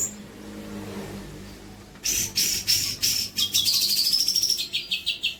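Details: Long-tailed shrike singing as a tutor for other birds: two seconds of quiet low hum, then a burst of loud, high chattering notes and a rising rapid trill, repeated in quick pulses.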